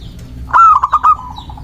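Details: Local zebra dove song for luring doves and stirring rivals: a single clipped phrase of four or five quick, mellow cooing pulses tailing into a softer drawn-out note, faint chirping of other birds behind.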